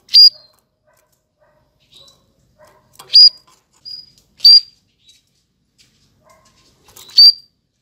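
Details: Canary, 2020, uttering isolated bright chirps, four loud notes spaced one to three seconds apart, with faint softer peeps in between.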